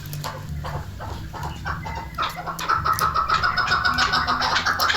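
A chukar gives rapid, hen-like clucking notes, about three or four a second, building into a louder, harsher run over low rumbling background noise.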